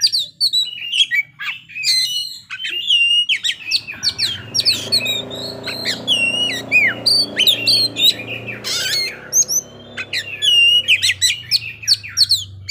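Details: Oriental magpie-robin showing off its fill-in phrases with varied sharp chirps, slurred whistles and a harsh squawk, while a steady low rumbling noise enters partway through.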